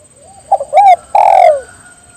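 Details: Spotted dove calling to its companions so they join in: two short soft notes, a rising-and-falling coo, then a long, drawn-out coo sliding downward, over a faint steady high whine.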